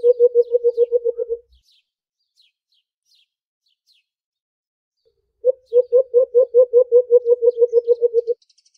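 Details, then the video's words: White-eared brown dove in aggressive fighting gives two fast runs of low, even hoots, about a dozen then sixteen notes, with faint high chirps from other birds in forest. "Aggressive fighting,White Eared-brown Dove call | Huni nang Alimokon"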